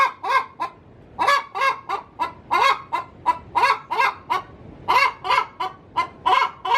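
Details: Domestic hen cackling in the coop before laying: bursts of rapid, grating clucks, a one-second pause after the opening notes, then steady repeated runs to the end.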